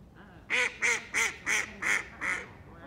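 An eastern spot-billed duck gives six loud, nasal quacks in an even series, roughly three per second, calling the group together over a faint background hum.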